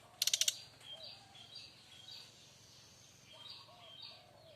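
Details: A Bali brown-chested jungle flycatcher delivers loud kretekan keras, a rattling, fighting style of song: sweet slurred whistles and twittering phrases over low mellow notes, opening with a quick burst of sharp clicks.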